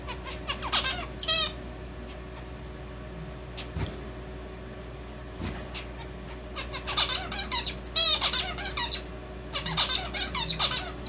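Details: Captive male zebra finch whose song takes in red avadavat calls; repeated phrases of nasal buzzy notes and thin, high peeping pips, three bursts across eleven seconds with quieter pauses and a couple of soft knocks between.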